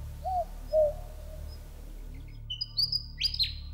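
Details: At sunset after a hot day in desert spinifex country in the Birriliburu Indigenous Protected Area, Western Australia, a Willie wagtail sings to the moon: a quick burst of bright, high, sweet chirps, after two soft, low whistled notes from a boobook, over a low night hum.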